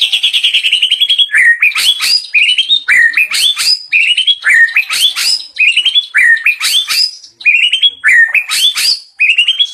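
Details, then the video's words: White-rumped shama in its debut performance, unleashing a rich 'isian' repertoire of learned phrases: loud, clear whistled notes, sliding descending slurs and sharp repeated chirps delivered in quick phrases about every second, with no other sounds. "murai bongkar isian mewah"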